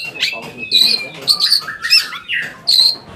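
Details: Long-tailed shrike lure song for drawing answers from other shrikes: whistled slurred notes mixed with scratchy chatter and harsh squeaks in short, uneven phrases.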